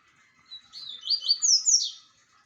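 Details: Double-collared seedeater phrase: a thin lead-in note followed by a quick run of bright, sharply downslurred high chirps, rising in pitch toward the end, about one and a half seconds long.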